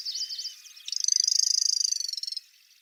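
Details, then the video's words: Grasshopper warbler (Locustella) singing: a few quick high chirping notes, then a fast, even, insect-like trill that lasts over a second and stops abruptly. "Сверчок. Голоса птиц"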